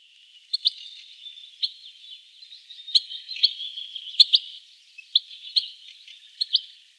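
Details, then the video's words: European goldfinch singing a thin, continuous high twitter with scattered sharp chirps and clicks, steady and somewhat faint over light background hiss. "Пение щегла"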